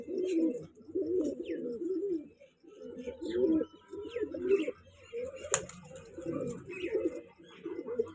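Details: A young breeding pair of kanta kash pigeons gives low, throaty rolling coos in bursts about every second, with faint chirps from other birds and a sharp click in the background.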